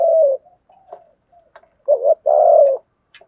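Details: Spotted dove cooing in a lure song that switches styles. Long rolled coos and a doubled coo appear between soft scattered notes, with a few faint clicks.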